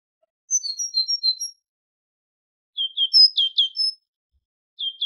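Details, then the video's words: High tit song from a goldfinch tutoring recording: a run of five or six thin whistled notes, then a lower group of quick rising chirps, and the start of another phrase, with a quiet background. "تغريد طائر الحداد ( القرقف) شريط تسميع الحسونChant de la Mésange"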